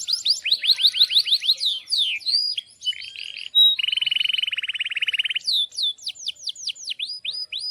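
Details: Canary in vigorous 'gacor' song with long rolls, used to teach young birds to sing. Rapid high sweeping notes, then a sustained rattling buzzy trill of about a second and a half, then further sharp descending whistled notes.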